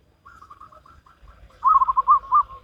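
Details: Local wild zebra dove singing in salendro rhythm: a soft, broken series of short coos builds into a loud, rolling, bubbling phrase of quick pulsed notes ending in a held coo.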